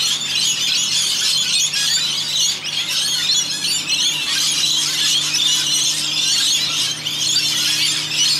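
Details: Flock of about 100 wild rainbow lorikeets in Australia, coming and going to bathe in a rain gutter: a dense, continuous racket of shrill, screechy overlapping calls with no pauses, over a steady low electrical-like hum.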